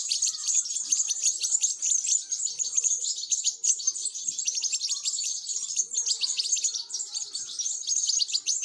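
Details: European goldfinch chicks begging while being fed: a dense, unbroken chorus of high, rapid, buzzy chirps, overlapping and shrill, running throughout with no pause.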